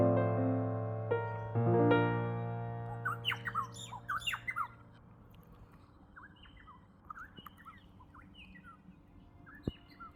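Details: A loose flock of about twelve Varied Honeyeaters constantly chase one another. Their usual four-syllable calls turn into bright, quick, clipped multi-syllable chirps in tumbling bursts during the chases, then fade to scattered calls. Sustained musical tones fill the opening seconds.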